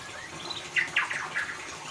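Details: White-rumped shama in ngeriwik style, played as a lure for a mute bird: a quick burst of three or four bright chirped notes over a hissing background.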